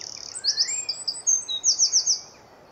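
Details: A Eurasian wren sings from a tree in the early morning in spring in Hampshire, UK: a loud, very high burst of rapid trilled notes and sharp twitters tumbling together in under three seconds, with a faint rising whistle early on.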